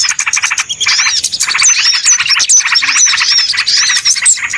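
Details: Small birds heard on a noisy trapping lure: rapid dry chattering fills the clip, and from midway a run of sharp, high whistled notes repeats roughly every half second above the twittering.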